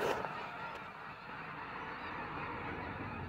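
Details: Many snow geese honking together in a flock, with a brief louder call at the start and then an unbroken, even din of massed nasal voices.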